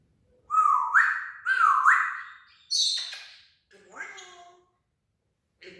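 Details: Talking parrot mimics sound effects with two rising whistled swoops, a harsh high screech, then a lower warbling speech-like phrase, followed by a short pause.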